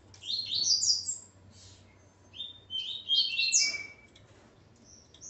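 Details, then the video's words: Double-collared Seedeater male, his female present, singing two rapid phrases of high, sweeping chirped notes that climb steeply, each phrase ending with a lower slurred whistle, separated by a short pause. "Coleiro Ponto 50 e sua Fêmea Calibre 40."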